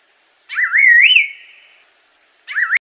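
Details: Assam laughingthrush giving one full whistled phrase, wavering upward to a high note and slurring down, followed by the start of a second phrase cut short by a sharp click at the end.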